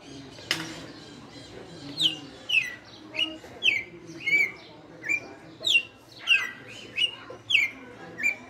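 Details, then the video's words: A five-year captive red-cowled cardinal sings its açoite song, a rhythmic string of clear falling whistles, about two each second, after an opening sharp click; soft background murmur throughout. "Galo de campina no AÇOITE"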